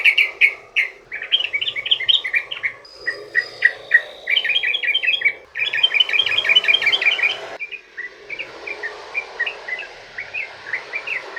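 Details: Long rapid song of a sooty-headed bulbul, meant to lure other bulbuls into singing: dense bursts of bubbly, chattering notes in several spliced sections, some loud and crowded, ending in a softer, sparser run.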